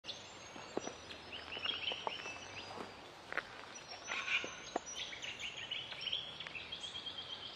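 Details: Splendid fairywren (Malurus splendens), call.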